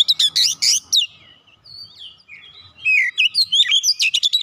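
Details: Lure recording of a magpie-robin (kacer) singing busily: two harsh chattering bursts open, then sweet whistled slurs, and finally a rapid string of loud, varied chips and whistles.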